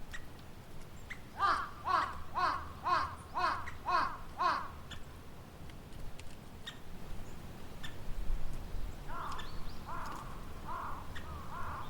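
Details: A woodpecker calls on 20 March 2020 with a run of about seven nasal, slightly falling notes, about two per second. A softer second run comes later over a faint background hiss.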